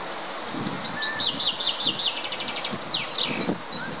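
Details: Greylag goose chicks feeding at the Munich Botanical Garden, 24 April 2018, give thin, high peeping notes in quick, uneven runs, some sliding downward, over soft rustling and pecking sounds.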